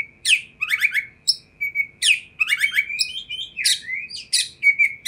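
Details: Oriental magpie-robin song played to provoke other magpie-robins into responding: a fast, varied stream of high whistles, sharp downward-swept notes and buzzy trills, loud phrases bursting out roughly every second, with no other sounds.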